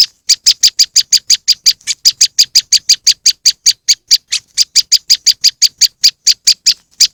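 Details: Moss wren playback for luring: a fast series of rasping high chips, roughly five or six per second, slightly uneven in timing, continuing without a break.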